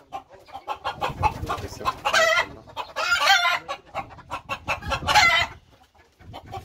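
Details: Two-month-old Fayoumi chickens cluck and squawk in quick, overlapping bursts, with louder harsh calls around the second and fifth seconds; a crow-like note rises briefly among them.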